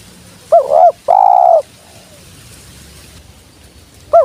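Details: Low, soft coos from a spotted dove: a quick warbling note and a long even coo, then near-silence before the wavering note starts again at the end.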